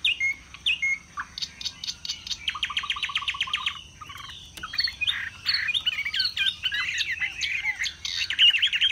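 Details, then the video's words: Displaying caged Chinese hwamei pouring out high-pitched song: short whistles, rapid chattering note series, a brief pause, then a tumbling medley of sweet whistles and fast buzzy fragments. "Họa mi xòe vip, xòe bền, hót cao cầu"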